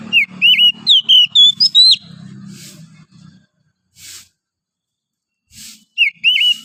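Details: Wild oriental magpie-robin from the forest singing in the morning: a rapid run of clear whistled notes, several sharply upslurred or looping, then a pause with faint rustles before another short whistled phrase.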